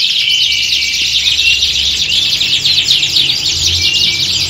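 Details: A group of canaries in a competition-like atmosphere meant to train birds for contests; continuous high, thick trilling with quick repeated chips and short whistled phrases layered on one another, with a low background hum.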